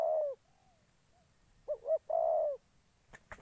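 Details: Decoy spotted dove in Gia Lai, Vietnam, used to lure wild doves into traps. A long coo ends, then comes a full phrase of two short notes and a sustained croo, followed by a couple of sharp clicks at the end.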